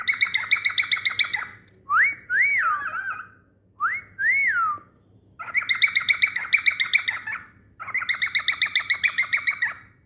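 A cockatiel sings, mixing rapid scratchy chatter with clear, rising-and-falling whistled notes.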